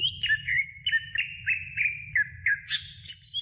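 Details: Greater green leafbird song from a training recording for other songbirds: a run of clear whistled notes, each sliding downward, repeated about three times a second, ending in a brief harsher, buzzy phrase.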